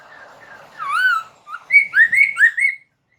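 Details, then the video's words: Laughingthrush lure song to make captive birds sing in reply: a drawn-out slurred whistle, then a lively sequence of four loud whistled notes, bubbling up and down. "SUARA PANCINGAN POKSAY MANDARIN, BIKIN POKSAY ANDA SEKETIKA NYAUT"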